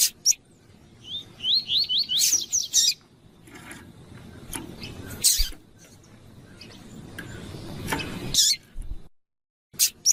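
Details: Calling female double-collared seedeater (coleiro tui-tui), heard as a warm-up for the male. A brief run of high, thin chips rises and falls early on, then harsh clattering knocks and scraping noises take over.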